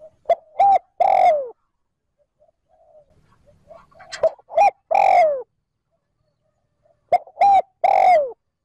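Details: Spotted dove 'trơn ròng' luring call: three strong repeats of a short-short-long cooing phrase ending in a falling slur, with a low murmur and faint soft coos between phrases.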